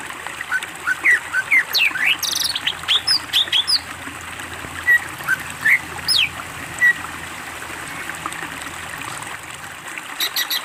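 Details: Greater green leafbird master recording with isian fill-ins: a varied run of chirps and upslurred whistles early on, then sparse single whistled notes spaced over several seconds.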